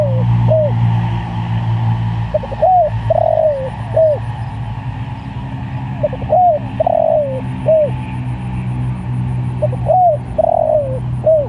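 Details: Spotted dove calling other doves, giving three repeated coo phrases about every four seconds, each with quick lead notes, arched hoots and a long falling coo, over a strong low hum.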